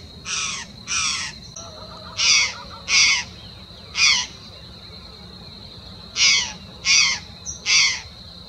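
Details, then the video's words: Acauã, or laughing falcon, along a trail near Uberlândia, Minas Gerais, Brazil, gives spaced harsh, raspy bursts in small groups separated by a long gap, with a steady high-pitched background whine throughout. "O canto sinistro de mau agouro do acauã."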